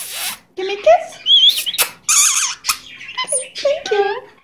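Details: Pet Goldie's lorikeet talking, mimicking the phrase "give me a kiss": a string of squeaky, speech-like syllables with whistled rising and falling notes and a few sharp clicks, close and loud in a quiet room.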